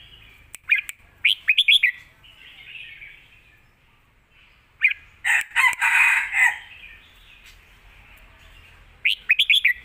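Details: Fierce Lak Wai song from a caged red-whiskered bulbul in Thailand, used as a master song to teach chicks; rapid warbled whistle bursts alternate with a harsher, noisy stretch mid-way, then more bright notes.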